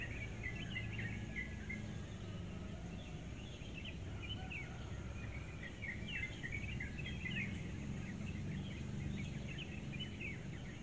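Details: A bird that comes by almost every morning around 5:30 sings before daylight, staying only a few minutes: quick, busy chirping and twittering phrases, soft against constant low ambient noise.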